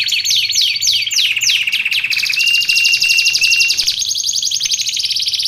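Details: Canary song intended for training and luring canaries: several quick descending sweeps, then a sustained fast trill over a long steady whistled note, continuing as rapid rolling chatter.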